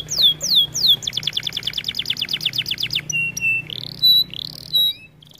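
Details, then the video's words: Singing canary for song training: two falling whistles, then a fast rattling trill of rapid notes, followed by sustained pure tones and rising slurred whistles. "Melodies Canary bird song | Training video"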